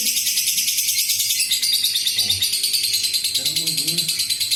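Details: Long ngekek from an adult fighter lovebird, used to make other lovebirds sing. A piercing, fast, pulsed chatter holds steady throughout, with faint low human speech underneath.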